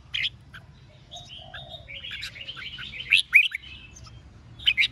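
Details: Red-whiskered bulbul singing the 'ché' contest style to stir rival birds: a flowing run of soft warbled whistles building to a pair of loud sharp notes, then another bright burst at the end.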